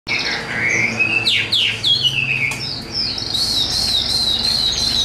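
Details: Tame, hand-carried caged Chinese hwamei, newly acquired and young, not yet in full form, singing clear whistled slurs that rise and fall, then a long wavering high whistle held to the end.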